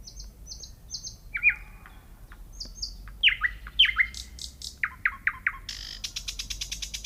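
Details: Singing nightingale: three clear high whistles, pauses, then loud descending slurred notes repeated in series, followed by a dry, rapid rattle of clicking notes.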